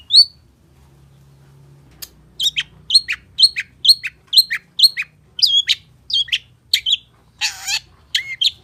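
A Long-tailed Shrike sings a rapid run of sharp, high chirps about twice a second, with one harsh rasping note near the end.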